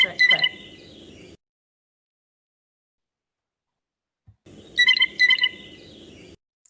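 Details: Blue jay whistle call, played as an example in a bird-identification talk. A bright, bell-like whistled phrase rendered "too-lily", lasting about a second, repeated after a pause over a faint low hum.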